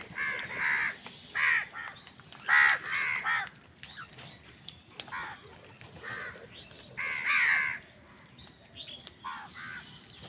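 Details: Crows clashing with wild birds over food: a string of coarse, nasal caws, often paired, repeated roughly every second or two, with quieter calls in the gaps.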